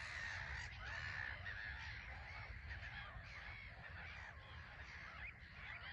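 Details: Busy island colony of black-headed gulls at Frampton Marsh, birds landing and taking off; a loud, drawn-out scratchy cry near the start, then a crowded jumble of harsh calls over low rumble.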